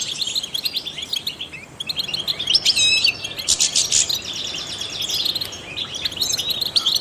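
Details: European goldfinch, a trained singer, delivering a quick, jangling twitter. Chirps tumble fast, broken by a brief lull, then loud buzzy rattles and tinkling trills pour out at the top of its range.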